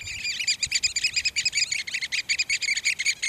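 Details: Eurasian oystercatchers in display at Port Carlisle, near Bowness on Solway in Cumbria, captured with a Canon S95 on a Swarovski scope: fast, continuous run of loud, sharp piping notes from more than one bird, tumbling together without pause.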